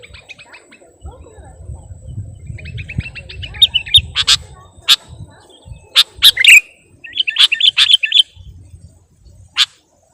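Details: Sooty-headed bulbul used as a bird lure: soft buzzy twitters, then loud sharp chirps singly and in short bursts, with a low rumbling background.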